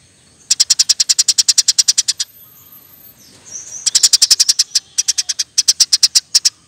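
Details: Rapid, persistent song of a Eurasian tree sparrow used to train songbirds: a long run of about twenty sharp, high chirps, a brief pause with a soft twitter, then further fast chirp runs.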